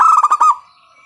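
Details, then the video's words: Loud local zebra dove used as a lure to set other doves singing: one short, fast burst of throaty, rolling cooing notes that ends abruptly and fades into quiet. "PANCINGAN PERKUTUT LOKAL SUARA KERAS, bikin pada manggung."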